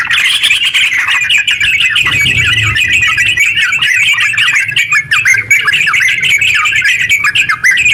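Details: Yellow-vented bulbul pouring out an extended ngeropel song to get other bulbuls singing; a continuous string of quick, scratchy twitters, with a brief low hum in the background.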